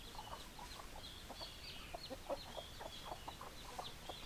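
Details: Chickens heard as a group, giving soft broken clucks at an uneven pace. A thin, high twittering layer and a few sharper notes sit above the clucks.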